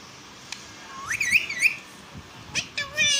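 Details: Pet parrot talking in Balochi: a rising whistled note sweeps into wavering high tones, then a short harmonic, voice-like phrase closes the sequence after a brief pause.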